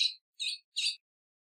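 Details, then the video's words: Female ultramarine grosbeak giving three short, high chirps, each around a fifth of a second, spaced evenly with brief silences between; no other sounds. "FÊMEA DE AZULÃO - PIADO E CHAMADO"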